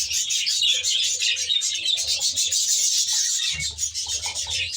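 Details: Many budgerigars chattering in a reserve-style aviary, rapid overlapping high chirps and squeaky warbles at a quick, uneven pace, with a low murmuring hum rising toward the end.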